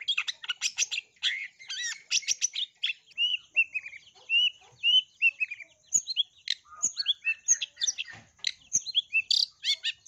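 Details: Long-tailed shrike singing a lure song rich in imitated tree sparrow notes, played to get other shrikes singing: dense run of harsh chirps, then a series of clear downslurred whistles, followed by quick varied buzzy phrases.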